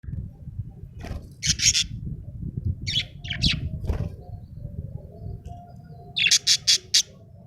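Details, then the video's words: Happy budgerigar giving short bursts of bright, high chirps in three clusters, a pair, then a rapid run of four near the end, over a steady low rumbling background. "Happy budgie chirping sound"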